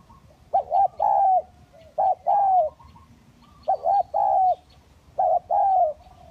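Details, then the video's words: Spotted doves (tekukur), hybrid and village types, in a lure recording: mellow low cooing phrases, each a quick two-part coo followed by a longer drawn-out coo, repeated about every one and a half seconds over faint background rumble. "Pikat Tekukur Kacuk dan Tekukur Kampung"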